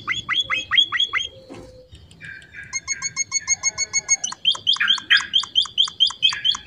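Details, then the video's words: Emprit finch singing in lively full song: bursts of rapid high chirps, then long runs of quick repeated sharp notes about six per second, with brief buzzy trills between. "Burung Emprit Finch gacor isian"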